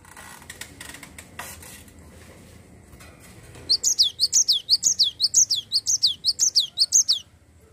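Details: Cinereous tit in rolling song after a few seconds of clattering and knocking: a fast run of high, sharp phrases with falling whistled tails, about a dozen repeats in steady rhythm, then stopping abruptly.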